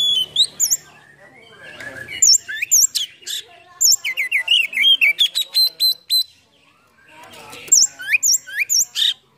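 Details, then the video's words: Oriental magpie-robin song full of borrowed phrases, the bird flaring its tail: high squeaky whistles and rapid chattering notes in dense runs, broken by brief near-silent pauses. "PANCINGAN KACER ISIAN FULL BUKA EKOR NGOBRA"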